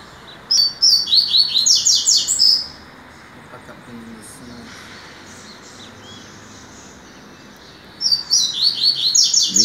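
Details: Rusty-collared seedeater singing in the morning on 22 September: two bursts of rapid, high, sweet twittering notes, each lasting about two seconds, separated by a quiet pause of several seconds.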